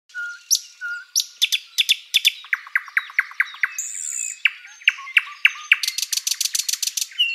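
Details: Thrush nightingale singing in a spring forest at sunrise: loud varied phrases of sharp repeated clicks, a fast rhythmic series of down-slurred notes, a high whistle, then a rapid rattling trill, with pure whistles at the start.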